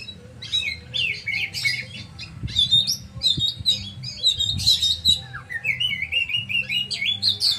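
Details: Loud oriental magpie-robin song of harsh, scratchy note clusters, followed by a rising sequence of repeated clear whistles; low background hum throughout.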